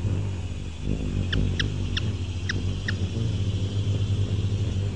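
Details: Five brisk, high, dry chips from a Ruby-throated hummingbird, Archilochus colubris, spaced irregularly across a couple of seconds against a constant low droning hum.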